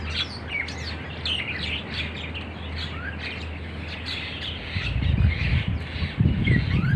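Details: A flock of starlings chattering in a date palm garden in Oman, with rapid overlapping chirps and whistles about four per second and louder low rustling noise near the end.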